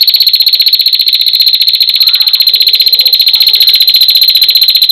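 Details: A female prinia gives a long, steady, rapid ticking trill, a dry high note repeated many times a second without a break, over faint background noise.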